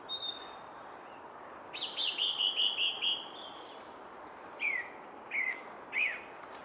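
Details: Song thrush at a Henry Moore sculpture: a brief high note, then a fast run of repeated chirping notes, followed by a short downslurred whistle given three times at spaced intervals.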